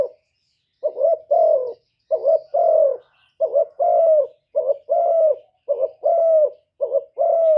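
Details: Spotted dove calling in thổ voice to rouse wild rival doves. After a brief silence, a steady run of low two-part coos begins, each a short stuttered note plus a longer falling one.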